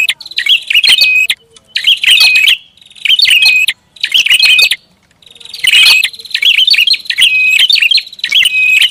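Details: Prinia, recorded as lure sound for attracting birds: busy phrases of high twittering notes and a flat held whistle, about one burst per second with short gaps between.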